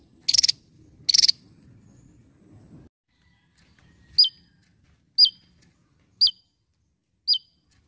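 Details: Javan tesia song: short, high, sharply dropping notes about once a second, after two harsh scratchy bursts over a low rumble.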